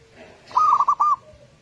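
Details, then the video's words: Local zebra dove singing, a lure for captive doves: one short phrase of five clipped, rounded cooing notes in quick succession, with a faint low whistle before and after. "Pancingan suara burung perkutut lokal, suara perkutut Pikat"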